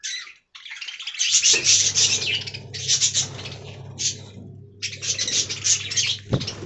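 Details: Budgerigars in a parrot aviary give long runs of scratchy, high warbling chatter broken by short silent gaps, plus one knock near the end and a low hum.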